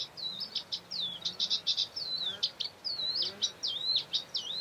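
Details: In Doñana National Park, Spain, in April 2011, a Eurasian reed warbler sings a steady, chattering run of harsh churring notes and sliding whistles, each phrase repeated two or three times at a brisk pace.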